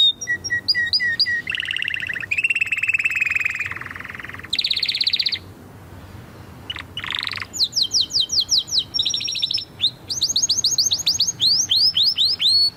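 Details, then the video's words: A canary pours out a long varied song of dense rattling trills, a rising sweep, then chains of quick downslurred whistled notes and high chirping trills, phrase after phrase with hardly a break. "اروع صوت كناري"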